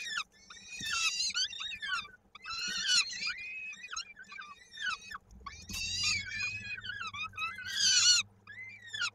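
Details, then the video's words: Peregrine falcon chick in Koszalin, 16 May 2022, at the nest during feeding, foot stuck in a beak; clusters of harsh, screechy falling calls separated by brief gaps, a faint low hum underneath. "Nila karmi horror małemu łapka utknęła w dziobie"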